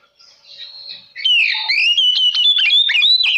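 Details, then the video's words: Oriental magpie-robin lure song to provoke rival birds. A faint thin whistle builds into a loud, continuous stream of rich, rising and falling whistles with quick clicks between phrases. "Kacer Lain Pasti Langsung Konslet Mendengar Suara Pancingan Kacer Gacor Ini"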